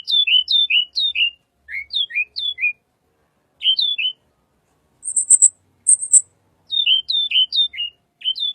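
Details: Little pied flycatcher song, a recording for luring white-rumped shama: phrases of three or four quick downslurred whistles repeated with short gaps, broken by two bursts of high, ringing buzzy notes.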